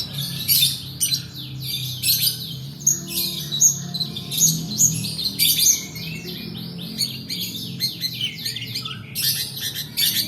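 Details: Long-tailed shrike lure song in the long 'roll' style for tutoring birds: varied high, scratchy phrases and slurred whistles in irregular bursts, a quieter stretch in the middle, low background hum.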